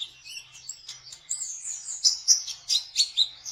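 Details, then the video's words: Trotol song of the kolibri ninja sunbird, used to lure young birds for trapping: very high, squeaky twitters, quiet at first and then loud sharp chirps in quick, uneven succession. "Suara Burung Kolibri Ninja Trotol untuk Memikat Konin dengan Cepat"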